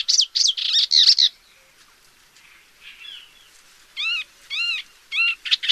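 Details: Paddyfield warbler opening with a quick scratchy chattering burst, then a quiet gap with faint notes, followed by evenly spaced arched, harmonic call-like notes about every half second.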